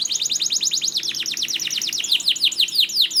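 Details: Canary song used as a master recording to prompt reluctant canaries to sing: a rapid run of high, downward-sweeping notes, roughly seven per second, growing louder and sharper toward the end.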